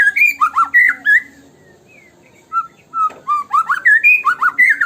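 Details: White-rumped shama song used as a lure to make birds sing: rich whistled phrases with rapid up-and-down slurs, a pause of over a second, then fast repeated looping notes resuming.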